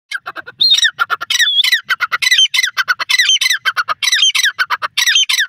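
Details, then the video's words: Francolin (teetar) calling loudly in a fast, uneven series of harsh squawking notes, some rising into short whistled tones, repeated about once a second with no other sounds. "Teetar voice,Pure Natural Sounds of the Francolin"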